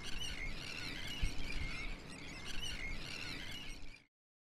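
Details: Sandwich terns newly returned to the Wadden in spring give harsh, grating, high calls several times a second over a steady low rumble of wind.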